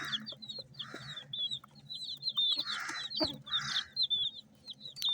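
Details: Multicoloured chicks feeding: bright, high chirps in quick succession from several birds, mixed with repeated hissy scratching or pecking bursts and a sharp click, over a soft low hum.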